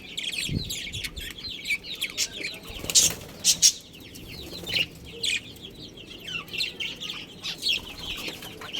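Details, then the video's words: Budgerigars of a breeding colony chatter in overlapping warbled chirps, with a few sharp clicks and louder squawks punctuating the soft background twitter. "Cute Budgies Chirping Sounds"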